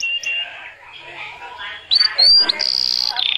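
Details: Bird song played to ready females and encourage mating, with soft warbled notes, then a bright rising whistle and buzzy bursts before a quick rattling trill.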